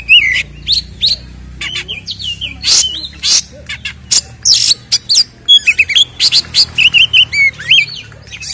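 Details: Kacer, the Oriental magpie-robin, singing energetic 'isian ngeplong tarung' fight song meant to provoke rival birds: rapid sequence of sharp clicks, harsh rasps and wavering whistles, ending in a dense burst of short looping notes.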